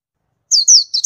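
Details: Oriental white-eye giving three quick, very high, thin descending chirps in just over a second, with a clean, quiet background.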